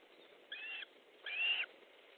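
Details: At an Osprey nest in Estonia during a midday fish delivery on 14 July 2014, two clear whistled calls sound in quick succession, the second louder, rising then level, against faint background hiss.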